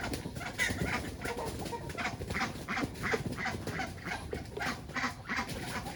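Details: Ducks and chickens on a farm, calling in a rapid run of harsh, broadband bursts, roughly three per second, with a steady low rumble of background noise.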